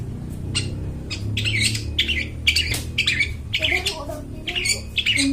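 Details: Long-tailed shrike singing vigorously in a clear voice, used to lure forest birds; rough, buzzy scratchy notes come in dense irregular bursts over a low background hum.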